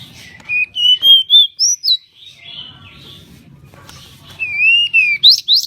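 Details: Pied bushchat in full song for tutoring cage birds, with a run of clear, sliding whistled notes, a pause filled by soft chatter, then more rising and falling whistles ending in sharp upward sweeps.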